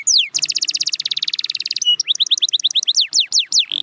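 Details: Singing canary, sound meant to bring a silent canary back to song: one falling whistle, a long buzzy rolling trill, then a series of rising and falling sweeping notes at quickening pace.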